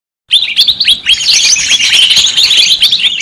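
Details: White-eye (pleci) lure recording meant to call wild white-eyes: a dense, noisy chorus of high, thin chirps and short descending twitters overlapping continuously after a brief silent start.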